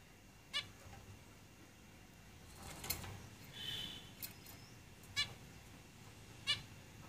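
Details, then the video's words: Caged zebra finches utter four clipped, nasal calls spread irregularly, with a soft whooshing rustle and a faint thin whistle partway through. "Zebra Finches Singing in the cage"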